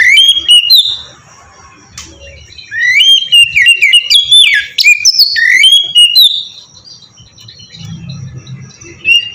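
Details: Oriental magpie-robin singing sweetly as a lure to make birds sing: loud varied whistles, rising slurs and sharp clicks in phrases a few seconds long, with brief quiet spells and faint low rumble.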